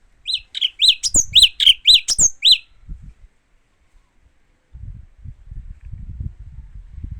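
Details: Song of a Japanese white-eye: about seven clear, high, bouncing chirps in a fast run with brief higher squeaks, then quiet except for low background rumble.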